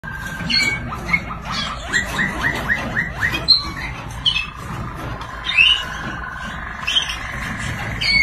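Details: Rival canaries (Serinus canaria) fight in song, trading fast runs of rising chirps, about four a second, with sharp high whistles scattered between them over a steady low hum.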